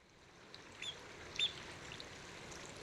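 A spotted sandpiper gives two brief, thin, high whistled notes about half a second apart over a steady rush of flowing water.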